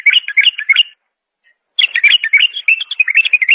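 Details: Bulbul singing: a quick run of bright, chirpy warbled notes, a pause of under a second, then a longer, busier phrase of rapid twittering notes filling the rest of the recording.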